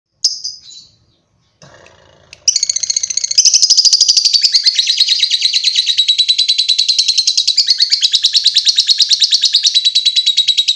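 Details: Lovebird giving a long chatter: after a few brief high chirps, a dense, continuous, rapid trill of high buzzy notes starts and runs on without a break to the end.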